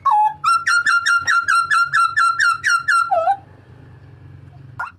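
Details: Papuan butcherbird with a loud, ringing cry used as training material for cage birds: a fast, even series of about eleven sharp clipped notes, ending with a lower falling note, then quiet low hum.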